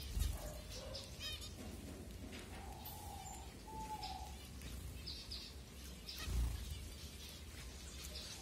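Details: Feeding-time chatter of finches in Kumarapuram Thoppur, Kanyakumari district, Tamil Nadu, India, captured on a Redmi Note 7; quick high chirps mix with a few short, clear mid-pitched whistles, over steady low hum and a soft thud.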